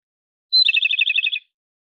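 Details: A single Japanese robin phrase starts with a sharp high whistle, then rattles into a quick trill that sags slightly in pitch and ends after under a second. Nothing else is audible.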